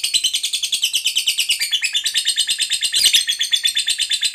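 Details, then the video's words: Fighter lovebird, a vigorous competition singer, delivers its ngekek panjang: a long, fast, buzzy trill of rapid pulses, about ten per second, held steadily high with slight shifts in pitch near the end. "KICAUAN LOVEBIRD FIGHTER GACOR Ngekek Panjang"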